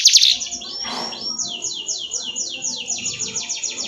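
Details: Canary trilling steadily, a string of quick descending sweeps after a short sharp opening burst, with faint background murmur.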